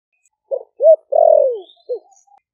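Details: Caged spotted dove from Ninh Thuận, a wild-caught bird kept four months, cooing in the deep 'thổ đặc' (thổ sấm) voice to call wild doves in: a short note, a rising hooked note, a long falling slurred coo, then a brief closing note.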